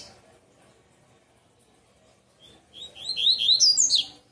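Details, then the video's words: Double-collared seedeater in bitola song: after a quiet start, a quick series of rising whistled notes climbs into bright, fast, high trills. "Coleiro Tui Tui Bitola"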